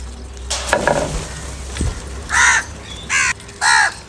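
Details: Crow cawing during a fight or when calling for food: clattering and knocking noises first, then three harsh, loud caws in a row over the last two seconds.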